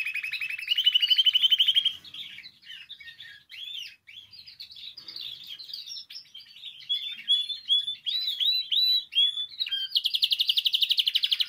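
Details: Canary singing, played to stimulate canaries to sing: a fast trill, then varied twittering and sharp chirped notes, ending in a loud buzzy rapid trill.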